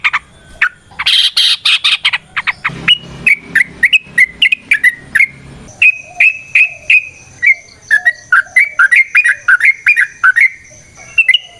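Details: Long fighting song of a yellow-vented bulbul, used to provoke other bulbuls: a continuous stream of short whistled and bubbly notes, a brief harsh chatter near the start, then steady rising-falling syllables several per second.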